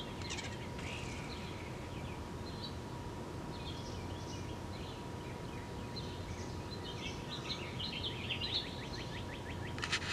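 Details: A European starling returning with a worm gives a run of varied chirps, whistles and clicking rattles, quick and uneven, over a steady low rumble and a faint constant hum.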